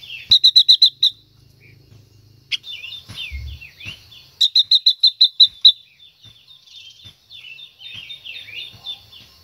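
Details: Female silver-eared mesia, singing to stimulate a male, opens with a fast burst of about eight loud, high notes, repeats a similar burst of about nine, and fills the gaps with soft, quick, falling notes.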